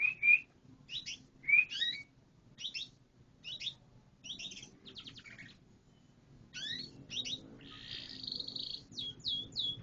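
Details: Canary singing in loose bursts of short slurred notes and chips spaced about a second apart, turning into a buzzy roll and rapid sweeping notes near the end.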